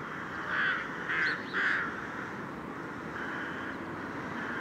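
A rook gives three harsh, hoarse caws in quick succession, then falls silent over a steady background rumble.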